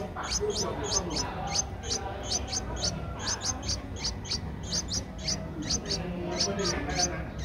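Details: Streak-eared Bulbul nestling at 11 days old, Ubon Ratchathani, Thailand, 13 April 2023. A dense stream of short, high, clicking chips repeats rapidly and unevenly, with muffled low voices in the background.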